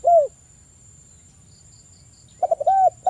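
Spotted dove giving soft, low, hollow coos: one at the start, then a quick run of three or four after a pause. A faint high insect-like whine runs throughout.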